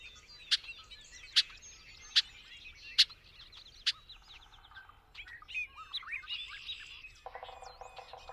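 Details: Bobolink giving five loud, sharp, evenly spaced notes over a busy bubbling warble, then a tumbling run of twangs, a short buzzy stretch and a low nasal rattle at the end.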